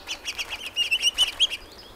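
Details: House finch in British Columbia singing a quick, bright warble of about a dozen high notes in under two seconds, with a few rising slurred notes near the end.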